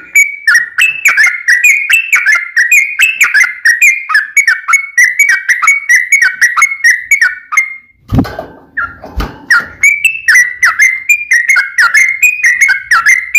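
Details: Yellow-vented bulbul in full 'gacor' fighting song with long rolling phrases, used to provoke other bulbuls to answer: rapid bubbly warbled notes repeated about twice a second, a brief noisy thump near the middle, then more warbling.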